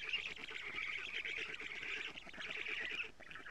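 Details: Estonian black stork nest, June 2017, 07:47: young being fed lampreys by their mother; a thick, nasal, honking-squeaky chorus with quick pulsing, fading slightly toward the end, captured on a live camera.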